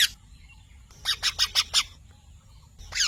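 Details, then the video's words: Softer parrot calling: a run of five evenly spaced, raspy notes, with single squawks at the start and end, over a quiet low hum. "Mithu Tote Ki Awaaz"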